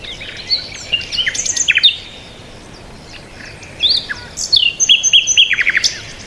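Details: Bird chirping in two bursts: quick high notes early, then after a pause a livelier series of rapid, evenly repeated chirps ending in a short trill.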